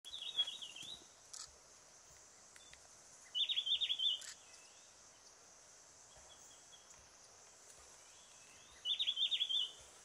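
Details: Lisu Wren-babbler on the Vijaynagar-Mugaphi Trail, Arunachal Pradesh, giving short, high, rapid rattling bursts, three in ten seconds, each under a second, over a steady hiss of insects or running water.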